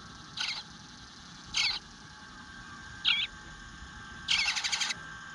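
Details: Begging from an eastern bluebird nestling waiting in the nest to be fed, recorded 25 June 2022 at 9:10 am: short raspy squeaks repeated every second or so, the last burst longer and stuttering, soft outdoor bird chatter behind.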